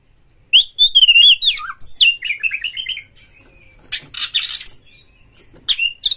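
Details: Kacer, a white-rumped shama kept as a songbird, singing fast to provoke other shamas: whistled phrases sliding between notes, then a run of quick rising and falling notes, broken by harsh scratchy bursts.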